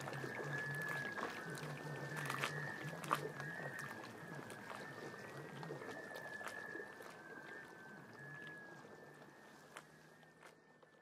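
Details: Black Scoters courting during spring migration on Shediac Bay, New Brunswick, April 2014. Mournful whistles drift and overlap, slowly fading toward the end. A low steady hum and water noise are also heard.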